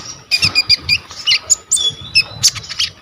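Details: Purple-throated sunbird (kolibri ninja) singing energetically as tutor material, recorded by phone: quick series of high, squeaky, slightly harsh notes repeated several times a second over noticeable background noise.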